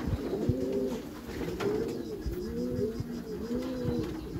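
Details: Cooing from Meulemans racing pigeons in a backyard loft: repeated low arched phrases from several birds layered together, with occasional taps and knocks.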